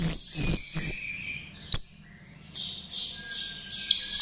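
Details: Chestnut-tailed starling lure song: shrill, squeaky warbling, a loud snap, a quiet gap, then short bursts of high chatter repeated about every half second.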